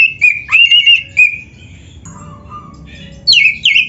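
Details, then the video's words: Kacer, the white-rumped shama, singing in loud 'gacor' style for training other birds: a warbled whistled phrase, a long quiet gap with a faint low whistle, then sharp descending notes. "SUARA BURUNG KACER GACOR ISIAN‼️Masteran Kacer Gacor ini Cocok Buat Pancingan"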